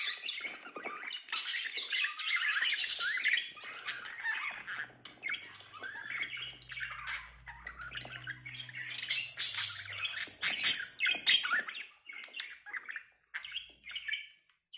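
Budgerigars chatter in a fast, scratchy warble of chirps and squawks, used to encourage breeding.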